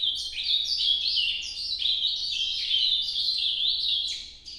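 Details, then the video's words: Nordeste song of an Ultramarine grosbeak, an unbroken stream of sweet, fast warbled notes that rise and fall in jumps, steady in loudness throughout, with only a faint low hum beneath. "Canto Nordeste Azulão Noturno"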